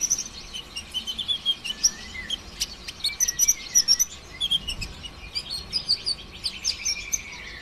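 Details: Brown-throated sunbird singing in the rapid 'konslet' style, used to get other sunbirds singing: dense high twitters, slurred whistles and quick chip bursts tumbling almost without pause.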